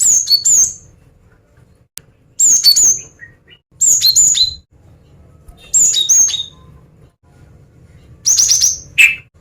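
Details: Female cinereous tit calling to lure males: bursts of high, sharp chirps and quick descending whistled notes, grouped in phrases every one and a half seconds with short silences between, one lower buzzy note near the end.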